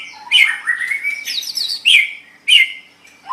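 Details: White-rumped shama, a recording for training songbirds; bright chattering and whistled phrases mixed with a fast high trill, in short bursts separated by brief gaps.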